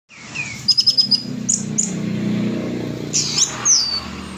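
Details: Orange-headed thrush singing loudly and clearly, a quick run of four high sharp notes, then scattered high whistled and slurred phrases, over a low steady hum.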